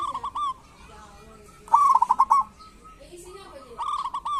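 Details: Local zebra dove song of kerot and bekur style, played to coax doves that rarely sing. One loud, fast-pulsed coo burst in the middle, framed by softer trilled phrases from other doves.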